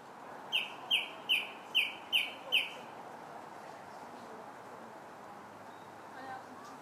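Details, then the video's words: Song thrush song, July 8th: six loud, sharp whistled notes repeated in a fast, regular run, followed by quiet background. "Song Thrush's Song July 8th"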